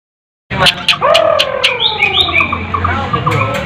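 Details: White-rumped shama training song used to tutor competition birds: sharp, clear whistled notes and long gliding phrases, some falling and some rising, then quick short slurs, over a steady low hum.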